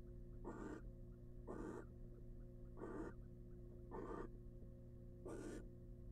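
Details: Nest-box barn owl, a wild female on eggs, producing five rasping hisses at roughly one per second, each about a third of a second long, with a low hum throughout.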